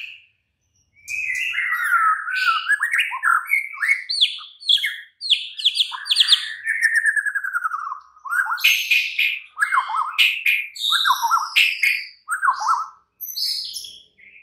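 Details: White-rumped shama singing at night, used as a lure to get a caged bird to respond and sing: a long, continuous run of varied whistles, chatters and sweeping notes.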